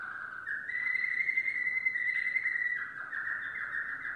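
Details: Yellow domestic canary in sustained song: a low roll stepping up into a long steady whistled trill, then a fluttering lower tour.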